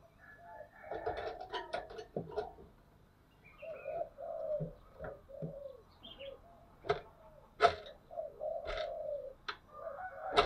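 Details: Spotted dove used as a lure for wild doves, with a 'thổ sấm' voice. Deep, rolling coo phrases sound amid frequent sharp clicks and knocks.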